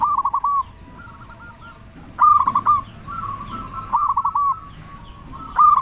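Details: Local zebra dove, a strong singer, used as a lure to provoke other doves to answer: mellow cooing notes near one pitch in quick stuttering bursts, several phrases overlapping as from more than one bird, faint background hiss.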